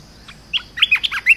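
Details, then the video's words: A short, lively burst of Red-whiskered bulbul song meant for teaching young birds, with several chirpy whistled notes that bend up and down in rapid succession, loud and clear over a quiet background. "เสียงนกกรงตาแดงEp.168 เสียงหัดนกลูกเสอ เพลงเพราะ น่าฟัง"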